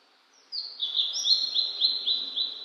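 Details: A Blue-and-white flycatcher sings in the mountains in spring 2022, cloudy and 14°C, the day after rain. After a brief silence comes a rapid run of bright, slurred whistles, each dropping slightly, repeated about six times.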